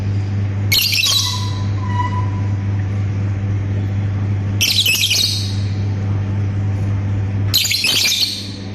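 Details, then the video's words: Lovebird producing ngekek chatter mixed with ngetik: three loud, noisy, screechy bursts, each under a second, roughly every three to four seconds, over a steady low droning hum. "BURUNG 🐦LOVBIRD SUARA NGETIK TAMBAH NGEKEK"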